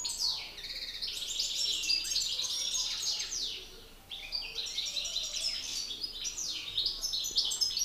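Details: European goldfinch males in a song contest: long rapid stream of twittering, chirping and buzzy trilled notes, a short quieter gap near the middle before the chatter resumes.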